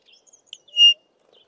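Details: Pririt batis recorded on a farm in the southern Karoo: one clear, loud whistled note held briefly in the middle, surrounded by a few faint, high, short chirps, otherwise quiet.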